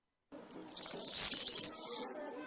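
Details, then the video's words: Single short, high, twittering jingle from a European serin in campero style, rising in loudness then fading, with a faint low murmur beneath. "𝗩𝗘𝗥𝗗𝗘𝗖𝗜𝗟𝗟𝗢 𝗖𝗔𝗡𝗧𝗔𝗡𝗗𝗢 𝗖𝗔𝗠𝗣𝗘𝗥𝗢"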